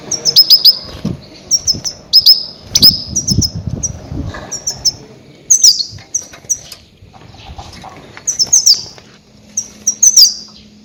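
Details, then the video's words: Loud goldfinch calls meant to attract grey-headed goldfinches for trapping: repeated high twittering phrases and quick descending slurs, coming every second or so, with some low rustling noise in the background. "Громкие крики щегла для ловли и охоты на Седоголового щегла"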